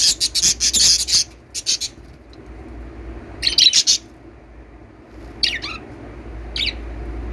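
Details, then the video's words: Lovebirds give shrill, scratchy chirps in quick bursts, a rapid cluster at first, then scattered squeaks a second or two apart over a soft background hum. "love birds singing & chirping sounds"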